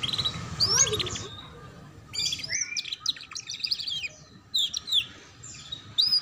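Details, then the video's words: Canary training song for young canaries learning ngeriwik: scattered chirps, short trills and a low-pitched whistle among pauses, somewhat masked by background hiss and hum. "Pancingan Kenari Paud Belajar Bunyi Ngeriwik || Suara Masteran Kenari Paud"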